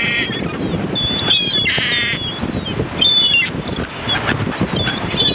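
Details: Several gulls give harsh, nasal squawking calls in bursts, overlapping one another above a constant low rumble of background noise.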